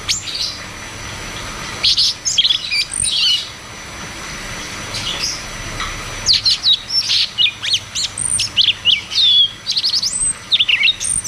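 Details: Caged cucak cungkok, used as a lure to make silent caged birds sing, delivering bursts of high whistled and chattering notes with short pauses, livelier rolling phrases in the second half over a low steady hum.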